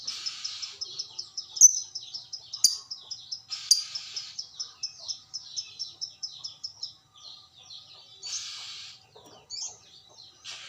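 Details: Fighter lovebird answering a fellow lovebird with long continuous chattering; a fast even stream of high ticking notes punctuated by three sharp squeaks, then rougher buzzy bursts toward the end.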